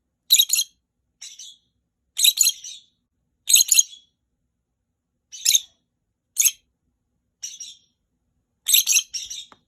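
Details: Contact calling among three pet rosy-faced lovebirds answering each other, their voices slightly different: short harsh, buzzy shrieks, often doubled, given roughly every second over ten seconds in an otherwise quiet room.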